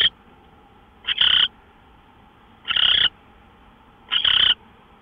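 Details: Owl recorded at 5:27 AM on March 24, 2013: three drawn-out, harsh hissing rasps about a second and a half apart, each opening with a brief stutter, over quiet background hum.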